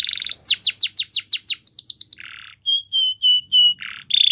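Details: Canary singing a Timbrado training song: a string of quick falling whistled notes about three per second, a brief buzzy burst, then clear repeated ringing notes and a final rapid trill.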